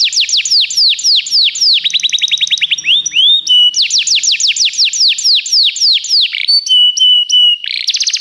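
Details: Training song of a canary for teaching other canaries: rapid series of descending whistled sweeps, quick rattling rolls, steady piping notes, and a closing buzzy trill, all loud and high-pitched.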